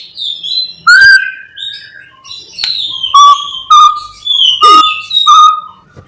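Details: Morning song of a white-rumped shama meant to stir rival shamas to sing: clear whistled phrases, some steady, some sliding down, broken by sharp clicks and short buzzy bursts.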